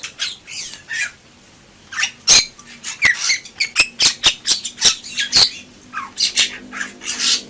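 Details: Bali myna (Leucopsar rothschildi) gives a loud, harsh chattering song of squawks, sharp clicks and brief high whistles, several notes each second after a short quiet opening.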